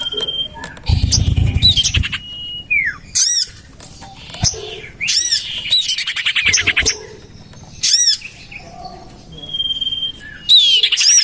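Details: Common iora lure call meant to draw birds in, checked in a garden by a house: brief chattering bursts and buzzy trills, with several long level whistles ending in downward slurs, and a low rumble early on.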